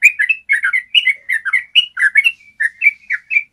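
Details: Yellow-vented bulbul giving a long, clear trill (ropel) used as a tutor recording so captive bulbuls learn to sing; bubbly, liquid two-note phrases tumble rapidly, about four per second, without pause over a quiet background.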